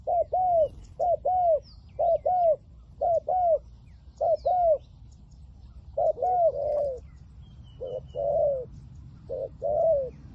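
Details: Spotted dove acting as a decoy to draw in wild doves, 'liu tan' voice type, producing series of paired coos, short then longer and downslurred, first rapid and regular, later slower and rougher, with faint bird chirps.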